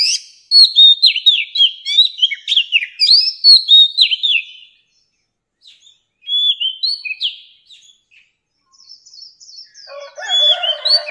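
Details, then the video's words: Old wild Oriental magpie-robin song, used to train young birds' voices: rapid, varied phrases of clear, high whistles slurring up and down, then after a short pause harsher buzzy, scratchy notes. "Tiếng Chòe Than Già Rừng"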